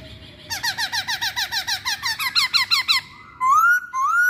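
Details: Masked laughingthrush lure song: a rapid, even series of about fifteen short descending notes, then two loud rising whistles.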